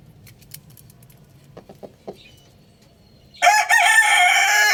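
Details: Loud rooster crow bursts in after about three seconds of near quiet with faint soft clucks and taps, a rough, harmonic-rich call still going at the end.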